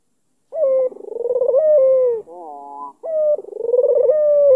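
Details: Albino Barbary dove with a black collar from Kalimantan cooing to provoke a rival into answering: a sharp opening note, a rolling pulsed middle, a long even falling tone, then a short set of wavering notes before the pattern restarts.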